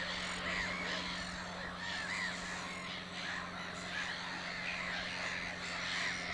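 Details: At Lake Hornborga, a black-headed gull takes a rest from nest building and preens; loud harsh squawks, some slurred downward, ring out over a busy, unbroken chorus of gulls and a steady low hum.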